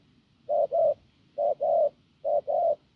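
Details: Hoarse, strong spotted dove from the fields giving three low coo pairs, each a short note followed by a longer one, spaced about nine-tenths of a second apart against a quiet background.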